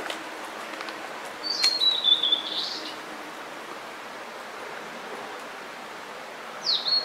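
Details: Blue-and-white flycatcher, a summer visitor newly arrived in spring at Hakone, Japan, singing. A high, thin whistled phrase slides downward for about a second. After a quiet gap, another brief high whistle starts near the end.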